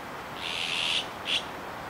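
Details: A young Azure-winged Magpie at Kiba Park on 17 July 2019 gives a harsh, rasping screech lasting about half a second, then a shorter grating note, over faint background hiss.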